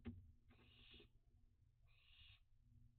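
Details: Barn owl fledglings flying about at dusk, June 2021, in hot, dry weather: after a sharp click come two drawn-out rasping hisses, each about half a second long, with a low hum behind.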